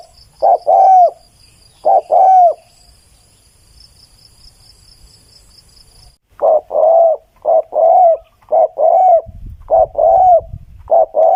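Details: Spotted dove recorded for decoy use, repeating two-part coos: a brief note then a longer falling one. Two phrases, a pause, then a rapid run of about six coos, with light rustling near the end.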